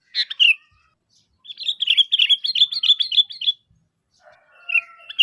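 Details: Sooty-headed bulbul (kutilang) calling to lure other bulbuls into answering: a quick run of bright, bubbly chirped notes repeated rapidly, preceded by a short burst and followed by a softer warbled phrase.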